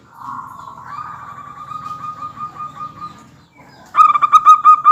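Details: Zebra dove lure song meant to make other birds join in: a long soft purring trill lasting over three seconds, a brief gap, then a loud burst of strongly pulsed cooing notes.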